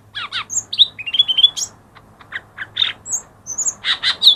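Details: Lesser green leafbird song used as a singing lure: quick husky double notes, a run of short whistles stepping upward, a brief pause, then further harsh chirps and clear high whistled notes.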